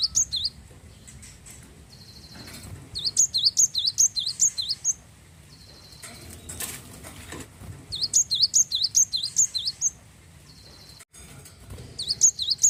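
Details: Wingko Java sparrow, a frequent singer, with song to encourage other birds to sing: repeated phrases of bright, high dipping notes separated by flat whining tones, with scattered clicks and rustling between phrases.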